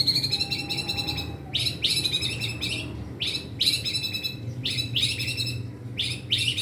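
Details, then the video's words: Young caged white-rumped shama giving repeated harsh, rasping buzzy bursts in groups, a mimic-like chattering phrase over steady low background hum. "murai batu pastol belajar gacor bongkar materi!! isian ngeri bos"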